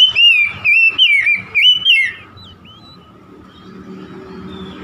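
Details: Oriental magpie-robin giving a two-second string of clear, wavering whistles, about five phrases, before fading to a quiet background hum.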